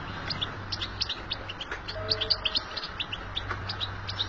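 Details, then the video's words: Betbeta twittering of a European goldfinch in the wild: rapid, high, chattering notes packed in quick phrases, a short faint tone in the middle, low hum behind. "بتبتة الحسون في الطبيعة"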